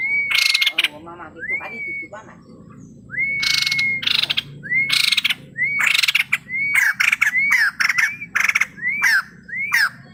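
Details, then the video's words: Male white-crested laughingthrush in full song: a quick series of rising whistles, each capped by a loud, buzzy chatter burst, speeding up toward the end, over a low background hum. "burung poksay jambul putih gacor full isian"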